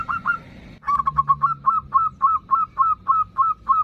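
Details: Local zebra dove in lively ndudut-style song meant to draw in and anger a rival: evenly spaced short cooing notes, about three and a half per second, over faint low background noise.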